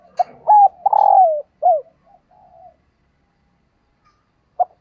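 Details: Female dove calling to stimulate males: a short note, then a longer, slightly falling coo with a rough, pulsed quality, a brief bent coo, and faint soft murmurs. The phrase ends with a lone short note after a pause.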